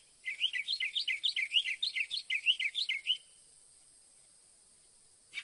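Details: Northern mockingbird singing a fast run of about a dozen bright, slurred notes that rise and fall in pitch. The run lasts about three seconds and is followed by silence and one short final note.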